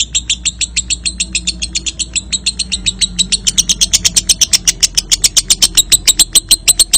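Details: Lovebird ngekek trill used as a lure to spur young birds to trill often with tight pauses: a long run of rapid, sharp, high chattering notes, about six per second, growing louder and brighter halfway through.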